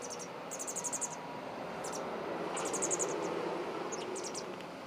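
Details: Pied wagtail chick being fed by its parents in Exeter: rapid, very high thin ticking notes in quick runs of five to eight, repeated several times over a steady low rumble of background noise.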